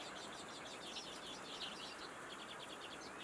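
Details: Short series of fast, buzzy, chattering notes from a common redpoll, high and rattling, delivered in close runs over steady broadband background noise.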